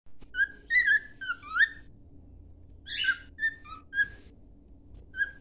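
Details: A cockatiel sings a whistled tune used for training: a rapid run of sliding whistles, then a rough buzzy call followed by scattered single clear notes, over faint indoor hum.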